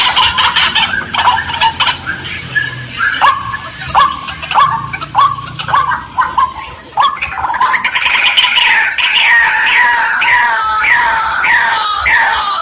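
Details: White-breasted waterhen calls used as a lure for wild birds: harsh notes repeated about every half second, then a denser run of overlapping, upward-sweeping chattering notes in the latter half.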